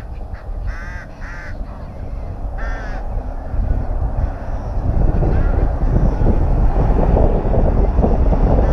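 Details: Rooks calling at their nest within a colony at Tyrnovo: three raucous, grating caws early on, then fainter calls as a loud low-pitched rumble builds and masks the rest.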